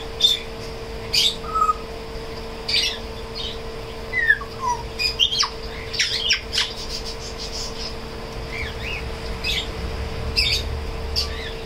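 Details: A tame grey parrot trying to talk and sing makes scattered short whistles, chirps, clicks and mumbled squawks in a quiet room, with a steady low electrical hum.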